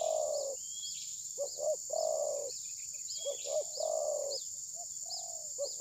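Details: A spotted dove kept as a trapping decoy that will not strike, perhaps moulting, recorded by phone: a long rolling coo, then paired short notes and another extended coo, repeated, beneath a continuous shrill insect hum and small bird chirps.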